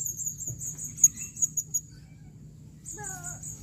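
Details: A female Blue-crowned hanging parrot calling, recorded in 2021, gives a rapid run of very high, thin chirps, then a short falling whistled note, over a low background hum.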